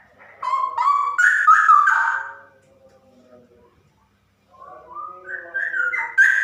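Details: Female straw-headed bulbul in captivity: a loud, rolling, whistled warble, then a short pause, then a fresh rising phrase of rich, liquid notes.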